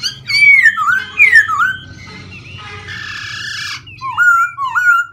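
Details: Black-throated laughingthrush singing and continuously changing its voice: loud, varied whistled phrases sliding up and down, then a harsh buzzy rasping burst in the middle before clear whistles return.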